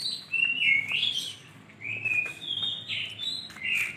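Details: Lovebird chatter described as lively and sweet: continuous high squeaky chirps and sliding notes in quick uneven succession, dipping briefly midway before resuming, faint low hum beneath.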